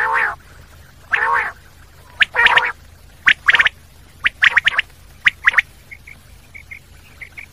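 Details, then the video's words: Nasal, harmonic common quail calls open the sequence, followed by rapid clipped triple notes repeated at about one-second intervals and a few faint high twitters at the end. "Common quail sound// Batair ki awaz"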